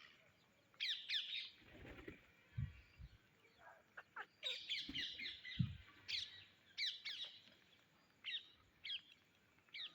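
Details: Indian ringneck parrots looking for grain utter repeated grating, rasping calls in short bursts, some doubled, spread through the stretch, with scattered low thuds and bumps between them.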